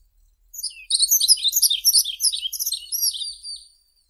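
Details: Yellow-throated bunting song: a single bright, high phrase of quick twittering and chirping notes lasting about three seconds, sweet and slightly buzzy, delivered at a fast uneven pace with a clean, quiet background.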